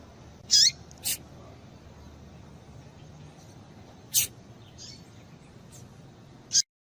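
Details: Short, high, scratchy chirps from a female double-collared seedeater, a call meant to stir a male, come singly at uneven gaps across several seconds against low background hiss.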